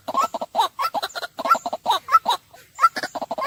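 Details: Harsh, guttural croaks from a white-breasted waterhen tumble out in rapid clusters with short gaps. A few notes carry a clipped, higher squawk.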